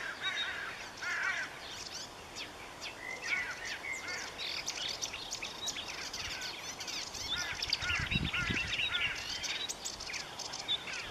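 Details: Long run of marsh warbler song, a bird known for copying other species: busy, jumbled mix of chirps, rattles, whistles and buzzy notes, constantly switching phrases, with a brief low thud near the end and outdoor hiss.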